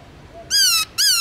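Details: Black-throated laughingthrush (Garrulax chinensis), a kept songbird singing in the Vietnamese forest-voice long slurred style, gives two loud, harsh, buzzy notes with rich overtones. Each note slides slightly downward, and the second follows the first after a short gap.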